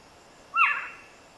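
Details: A North American owl gives one short, rasping call with a rising start, about half a second long, fading into a breathy hiss. Nothing else is heard.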